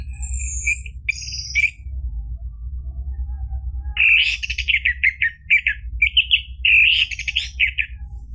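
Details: Orange-headed thrush song played to get a caged bird singing: thin high whistles first, a pause, then a rapid run of varied warbled and chattering notes over a constant low hum.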